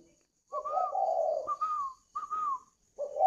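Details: Spotted dove, a caged bird from a farm in northern Vietnam near Hanoi, cooing: a long low hoarse note with a whistled overtone, then two shorter clear whistled coos, and the start of another phrase.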